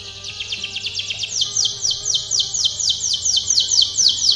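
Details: Canary singing a training song, a steady rolling tour of high curved notes repeated about twice a second, gradually growing louder, with faint low hum beneath.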